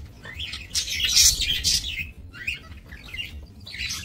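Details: Budgerigars in a small breeding aviary, 28 November 2024; a loud scratchy burst of warbling chatter followed by shorter chirped phrases, several birds calling over a low hum.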